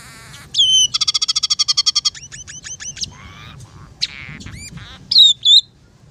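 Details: Scaly-breasted munia singing hard, its song carrying fill-ins from house sparrow, red siskin and canary: a buzzy burst, a long rapid rattle of about fifteen notes, descending chirps, squeaky slurs and two loud whistled phrases.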